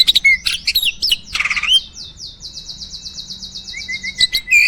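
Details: Farm-kept starling in full varied song: quick sharp chips and twisting whistles, a buzzy burst, then a long even trill of rapid high repeated notes, ending with wavering lower whistles.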